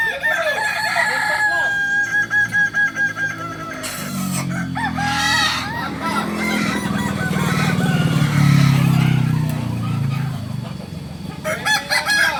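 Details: Kokok Balenggek roosters at crowing practice in Amko, Solok city: many overlapping, stepped, wavering crows from several birds, with a loud low engine rumble swelling in the middle.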